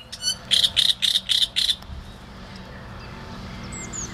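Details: Five loud, rasping, evenly spaced notes from a great reed warbler, followed by near silence with a few faint distant chirps.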